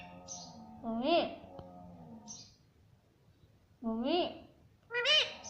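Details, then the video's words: Parrot talking, repeating "mummy" in three short rising-then-falling harmonic calls spread over a few seconds, with a steady low hum and faint softer sounds in the background. "Mummy Papa Bolne Wala Tota || Talking Parrot"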